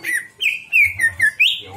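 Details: Greater green leafbird (cucak ijo) song used as a lure to draw out mimicked repertoire: loud, clear whistled notes, each a short slur falling or rising, given in quick succession over a faint low hum.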